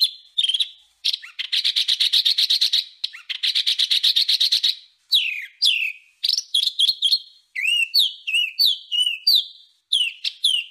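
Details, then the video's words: Rough-style bird song used as training material for caged and contest songbirds: loud high whistled notes, rapid buzzy trills repeated in bursts, then sharp rising and falling chirps, all clear with no background sounds. "full Suara burung Masteran kasar"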